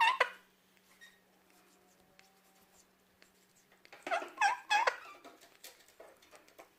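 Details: Pet male Indian ringneck parakeet in Bosnia and Herzegovina, chirping while eating apple: one short note at the start, a quiet stretch with faint clicks, then a burst of harmonic, bending chirps near the end.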